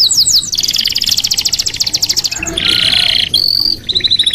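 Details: Red canary singing an extended, fast rolling trill of pulsed notes, then shifting into a buzzy chatter and a higher, thinner rattle.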